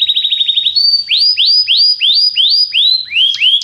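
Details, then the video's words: Belgian canary song, played to bring other canaries into breeding condition: a fast rattle of high chips, then a string of swooping upslurred whistles repeated about three times a second, loud and clear. "a canção do canário belga que é popular, seu canário logo estará quente"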